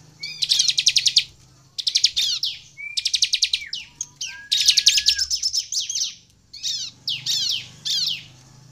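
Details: Lively Sunda bush warbler song used to provoke other birds into singing. Dense high rattling trills come in bursts of about a second, mixed with thin level whistles and quick downslurred chips, with short pauses between phrases.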